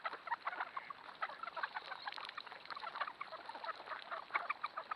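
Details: Trail camera in a flooded cornfield where thousands of ducks swarm: a continuous jumble of short, honking quacks, many birds calling at once with no pause.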